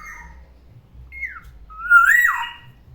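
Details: Black-naped oriole, a caged pet, singing in the morning: a short sliding whistle, then a louder drawn-out note that rises and drops away, rich and mellow.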